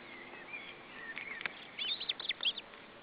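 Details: Osprey at its nest in July 2012 as a fish arrives for supper: soft drawn-out notes, then a burst of sharp, high chirps near the end against a hissy background.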